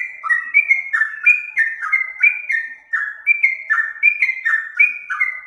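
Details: Trucuk (yellow-vented bulbul) master song for training other birds: rich warbled whistles in linked two-note phrases, dipping and rising, delivered steadily about twice per second.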